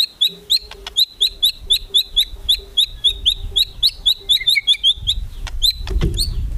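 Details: White-rumped shama kretekan, sung to rouse rival birds: a steady rapid series of sharp, high clicking notes about three per second, with a few lower chirps near the end and faint rustling.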